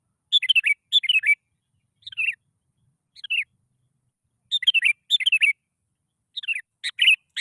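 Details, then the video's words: Lure song of a sooty-headed bulbul for provoking other bulbuls into song: pairs of bubbly, descending warbled phrases interspersed with single short slurred notes, in a clean recording without background noise. "PANCINGAN BURUNG KUTILANG. Males Bunyi Auto Langsung Bersuara.."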